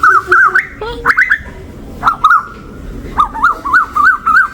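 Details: Asian koels quarrelling some distance away outside a house in West Bengal, India, sounding angry: loud, wavering whistled notes that bend up and down in quick, uneven bursts, several a second, over faint background noise.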